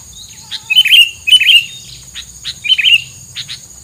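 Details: Bird's filler song meant to make rivals stay away: loud warbled chirp phrases repeated about every second, with faint clicks between them and a continuous high hum.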